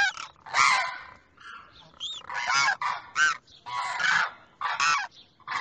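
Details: Demoiselle crane pair, the male calling toward the female across from him: a string of short, harsh honking bursts with strong overtones, separated by brief pauses, some notes sliding upward.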